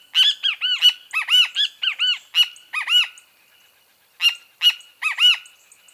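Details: Rapid run of great kiskadee notes: harsh, ringing, arch-shaped calls delivered almost continuously for three seconds, a short pause, then two more quick phrases.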